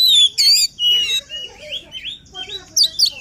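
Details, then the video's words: Energetic White-rumped shama song intended to rouse a reluctant singer: clear high whistled notes and warbled phrases, short pauses between bursts. "Kacer Gacor Full Emosi, cocok untuk mendongkrak Kacer yang malas bunyi."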